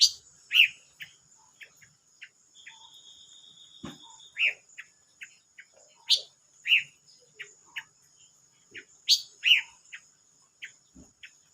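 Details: Silver-eared mesia, 25 May 2022: loud sharp chirps paired with lower slurred notes every second or two, a long even whistle in between, and a constant thin whine in the background.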